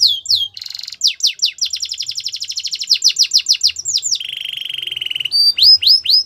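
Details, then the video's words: Belgian canary pouring out song: quick falling whistles, a dense buzzy burst, a long rapid trill of clipped notes, a lower sustained warble, then rising slurred whistles. "Melodies canary bird song | Belgian canary singing"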